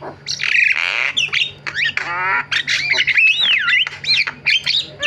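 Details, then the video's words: A Javan myna, called jalak kebo, sings a variety song of rasping churrs, a long rattling buzz and looping whistled notes that swoop up and down, all loud and close. "BURUNG JALAK KEBO SUARA VARIASI"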